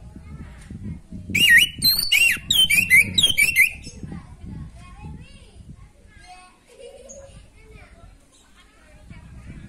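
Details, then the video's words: Orange-headed thrush song to stimulate a bird lacking breeding drive: a couple of seconds of rapid looping whistled phrases, followed by soft faint chirps and low background murmur. "Anis macet kurang birahi auto respon pakai suara video ini"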